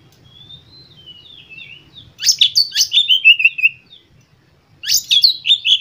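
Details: White-rumped shama stimulation song: soft sliding whistles at first, then two loud bursts of fast, varied chattering and sweeping notes about three per second.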